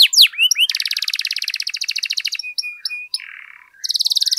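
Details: Energetic canary song used to provoke other canaries to sing: quick sweeping notes, then a long fast trill of repeated high pulses, short whistles and chips, a soft buzzy patch, and another rapid trill at the end.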